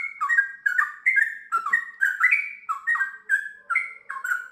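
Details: Trucukan, the Sooty-headed bulbul, singing gacor: evenly spaced chirpy whistled phrases, each dropping then lifting in pitch, about two per second.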